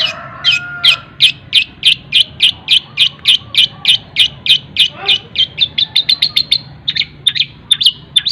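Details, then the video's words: Long-tailed shrike singing a fast, tightly packed mimicry song of collared kingfisher, then sparrow and kunti phrases. Sharp high notes repeat about three times a second and quicken into rapid chips near the end over a faint low hum. Used as a tutor recording for other birds. "CENDET ISIAN TENGKEK BUTO SPEED RAPAT SAMBUNG GREJA SAMBUNG KUNTI, cocok buat masteran segala burung"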